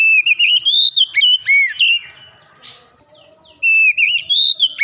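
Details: Oriental magpie-robin singing with open beak: loud, clear rising and looping whistled phrases, a short quiet gap with a faint rustle, then the phrases resume.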